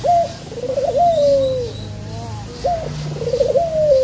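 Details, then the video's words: Male spotted dove lure call used to coax other birds into singing: a sharp rising note, a wavering trill and a long descending coo, the sequence starting again after a short pause. "Puter Jantan Yang Gacor Suara Pancingan nya Sanggat Menggoda"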